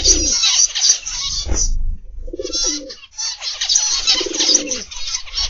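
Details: Flock of aviary zebra finches, morning: bursts of crowded, high-pitched nasal chirping broken by a short lull. Mellow low dove coos fill the gaps.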